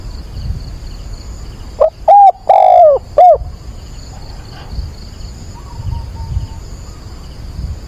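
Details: Dawn calling of a decoy spotted dove on 22 October, meant to provoke and train wild doves; a single strong phrase of a clipped note, a short coo, a long falling coo and a final brief coo, then faint distant cooing.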